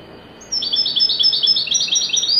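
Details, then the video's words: European goldfinch singing a widani-style phrase: a loud, sustained stream of quick liquid chirps hopping between two pitch levels, with a fine whistle running above, lasting about two seconds. "تغريد حسون ويداني"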